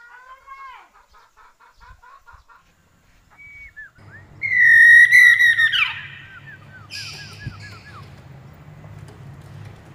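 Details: Chinese hwamei given extra pudding so it sings actively: quick series of clear whistled notes, then a loud sustained whistle with rapid descending trills and further bright whistled phrases, over a low steady background hum.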